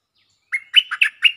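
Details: Stripe-throated bulbul singing a lure phrase: a brief run of four or five liquid, bouncing notes, each slurring up and down, delivered quickly and loudly in clear surroundings.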